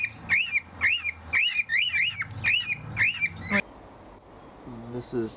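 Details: Male cockatiels in an aviary sing to each other, a run of rising-and-falling warbled whistles, about two per second for three and a half seconds, then a brief high note and a few human words.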